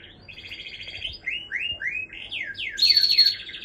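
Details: Canary singing: a run of rapid trills and downward-sweeping slurred notes, shifting between phrases and ending in a higher, louder buzzy trill.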